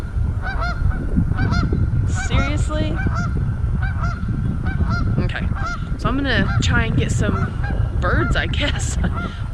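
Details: Canada geese honk almost continuously at Pete's Pond Preserve, a local park pond with boardwalk, a flock of overlapping nasal two-syllable calls several times a second, over a steady low wind rumble.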